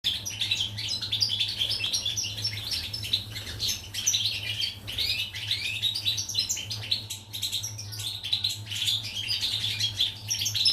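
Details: Pied European goldfinch recorded on 14 July 2019, singing a fast, continuous twittering song of bright, tinkling high notes with buzzy bursts, over a steady low electrical hum.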